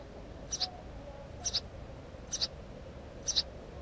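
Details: Four paired chirps from a house sparrow, each a quick high double note, spaced about a second apart in a quiet setting.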